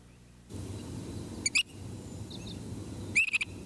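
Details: A Great Crested Flycatcher, a tree-cavity nester common in summer in eastern North America, gives loud, rising whistled notes in two quick bursts, about two seconds apart, over a low background rumble.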